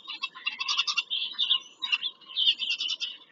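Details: Bald eagles at a nest on Pennsylvania farmland, filmed by a live nest camera on 5 February 2023 during a visit to the nest. Rapid high chattering and piping notes run in bursts almost without pause.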